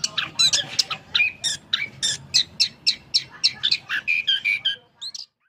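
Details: Punglor kembang, the Orange-headed thrush, kept for sale, repeats harsh, scratchy chattering notes about three to four times a second within its long song, ending with a couple of softer whistles.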